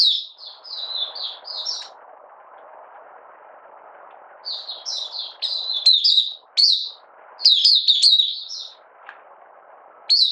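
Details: Malaysian Oriental white-eye, out of form and in minor moult, recorded 31 July 2023, opening song: phrases of high descending twitters, a long gap with steady low hiss, then denser chattering bursts toward the end.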